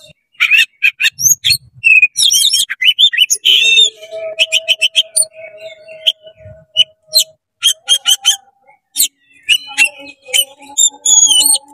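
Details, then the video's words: Oriental magpie-robin in fast, 'konslet' style song, meant to rile other magpie-robins: rapid sharp chirps and buzzy notes, then steady whistled tones with quick high twitters layered over them. "CEPAT GACOR BUKA EKOR DONGKRAK EMOSI KACER KONSLET BIKIN KACER LAIN PANAS"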